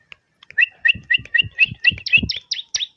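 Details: Bar-winged prinia singing a quick, lively series of high chirps, roughly four a second, rising in pitch toward the end, with soft low thumps beneath.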